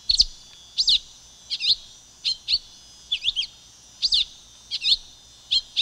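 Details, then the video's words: Silver-beaked tanager song: crisp, scratchy high notes in singles and quick pairs, repeated under a second apart, with a faint continuous hiss in the background. "Canto da Pipira Vermelha Ramphocelus Carbo"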